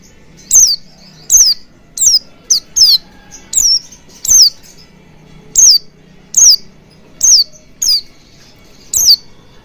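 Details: Oriental white-eye calls played as a lure for fast wild-style singing with open beak: roughly thirteen high, falling chirps, some in quick pairs, at a loose, irregular rhythm.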